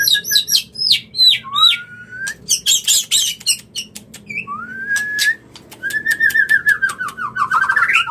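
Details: White-rumped shama male courting a female with its mating song: rapid falling high whistles, then harsh buzzy bursts, long rising whistled slurs, and a quick trilled run climbing at the close.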